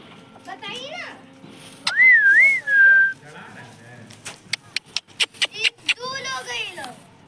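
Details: Talking parrot credited with saying mummy papa, giving short harmonic speech-like sounds, then a loud wavy whistle lasting about a second, a rapid burst of sharp clicks, and a final drawn-out voiced syllable.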